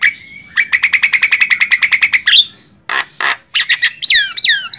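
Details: Javan myna, a master recording for training songbirds: a steady whistle running into a long, even rattle of about twenty notes, then harsh noisy bursts and downslurred squeals.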